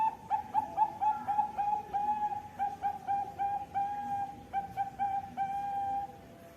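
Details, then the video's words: Melodious zebra dove song from a bangkok-type perkutut ringed in Jepara, Central Java: quick, evenly spaced mellow coos rolling along in a steady series, closing with a longer sustained note. "Perkutut bangkok suara merdu"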